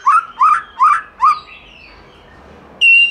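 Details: White-rumped shama in forest song, giọng rừng: four evenly spaced rising whistles about every 0.4 seconds, a soft fading trill, then a sudden loud pure high note.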